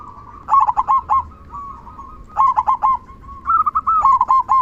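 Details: Loud "kung" song of a local zebra dove, meant to stir other doves to sing; three phrases each opening with a strong rolling burst of quick coos followed by smoother bubbling notes.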